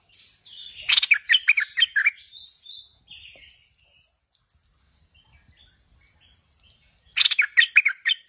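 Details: Tame stripe-throated bulbul singing steadily: two bursts of bubbly, quick chirped notes with rich overtones, the first lasting about two seconds and ending in a softer trailing phrase, then silence before a second lively burst.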